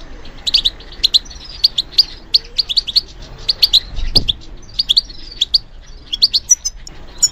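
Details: European goldfinch in song training, reacting to stimulation with lively high twittering, chirps strung in rapid runs and short pauses, and a soft low thump partway through.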